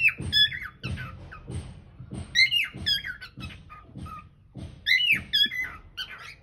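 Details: Cockatiel singing indoors, caught on a hidden camera: warbled, wavering whistled phrases with squeaky rising and falling notes in bursts, over low room rumble.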